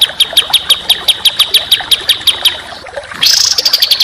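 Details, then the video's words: Songbird masteran for contest birds: evenly spaced sharp high chips, about three per second, then a sudden loud harsh buzzing rattle at the end. "Masteran Burung Kicau Tembakan Rapat dan Kasar"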